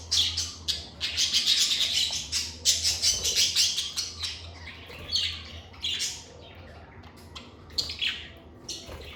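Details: Several pet lovebirds chatter in fast high chirps, clustered in lively bursts early on, then sparser squeaky notes, with a faint low hum in the background.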